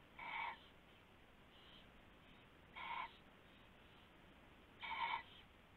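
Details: Owl at night, February 19, 2016, around a rabbit passed as prey; three coarse, buzzy harmonic calls about two and a half seconds apart, the last loudest, with faint notes between and low hum.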